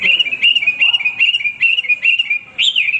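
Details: Nonstop song of a male hwamei used for tutoring other birds: a fast chain of short, bright whistled notes at steady mid-high pitch, roughly two or three per second, ending on one higher upswept note.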